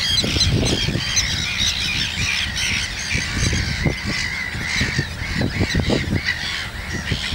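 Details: In Gothenburg's archipelago, common terns with young chicks keep up a chorus of rasping, overlapping calls, with strong gusty wind thumps throughout.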